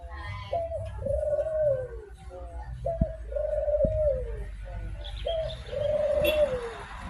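A turtle dove gives three low, mellow coos, each a brief note followed by a long, slightly arching coo, about every two seconds, over a low hum.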